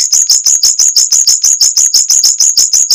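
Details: Mockingbird roll in tight, fast, long bursts, played as tutor song for white-rumped shamas: a steady, even series of thin, very high chips, about three every second, without a break.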